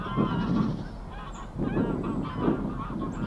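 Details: Wild Greylag goose mother swimming with her goslings at Getterön, Sweden, on 20 April 2022: low, nasal honking calls repeated every second or so over a steady background rumble.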